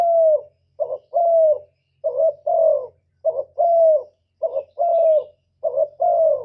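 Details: Spotted dove cooing as a lure for trapping and for stimulating caged birds: evenly repeated couplets of a brief coo and a longer mellow falling coo, about one pair per second, with a low faint hum underneath.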